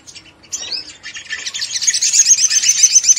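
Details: Crimson Sunbird delivering an energetic ngleper song to excite other sunbirds: a sustained, dense, very high buzzy chatter that grows steadily louder.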